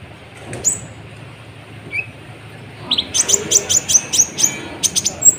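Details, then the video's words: Active sunbird song meant to provoke other birds: after a quiet start with a couple of isolated thin notes, a fast series of very high, bright chirps repeats about twice a second to the end. "PANCINGAN KONIN GACOR, AMPUH BUAT MENAIKAN EMOSI BURUNG"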